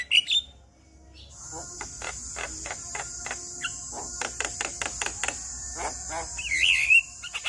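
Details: Male Javan myna song said to prompt other mynas to sing: brief whistled phrases at start and end framing a run of dry clicks and rattling ticks, over a steady high-pitched insect-like hiss throughout.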